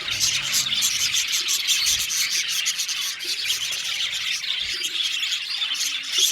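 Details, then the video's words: Australian budgies in an aviary colony: continuous high chirping and scratchy warbling from a crowd of birds, fast overlapping notes with no silence between them. "Parakeet sound | budgies singing and chirping sounds"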